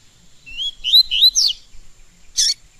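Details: Double-collared seedeater kept in a cage for song training, giving a short phrase of three or four rising, slurred whistles ending in a brief buzzy burst after a pause.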